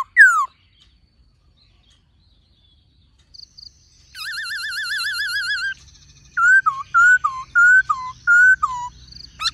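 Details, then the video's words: Black-throated laughingthrush with a female calling: a sharp falling whistle, a long warbling trill, then a repeated pattern of looping whistled notes dipping and rising, with low background hum. "Khướu Hót Nhiều Giọng Kèm Khướu Mái Rò"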